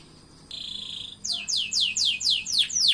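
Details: Canary singing: a steady high whistled note, then a series of quick downward-sweeping chirps repeated about four times a second, over a low background hum.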